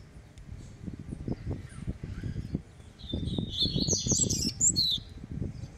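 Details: A caged double-collared seedeater warms up its song: a short run of high, sharp whistled and twittering notes after a quiet start, over low thumping noises.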